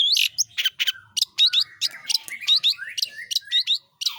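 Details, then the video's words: Long-tailed shrike (pentet, cendet) in full roll tembak song: a loud, rapid stream of sharp chirps, harsh rasping bursts and quick up-slurred whistles, nearly continuous for four seconds, with little background noise. "burung pentet/cendet gacor ROLL tembak"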